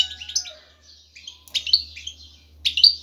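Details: A male European goldfinch in breeding condition sings intensely to lure a female to mate: jangling, tinkling twitter phrases in three bursts with brief gaps, over a faint low hum.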